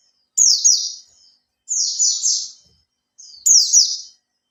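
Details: Oriental white-eye in captivity, a three-month kept bird beginning to open its tail, gives lure song: three thin, high-pitched tumbling phrases, each sliding downward in quick rippling notes, separated by pauses.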